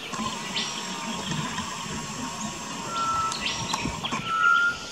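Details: Pied butcherbird singing in an Australian backyard garden on 19 October 2018, giving two pure, flute-like whistled notes, steady in pitch, the second held longer, over a soft background hiss and distant rumble.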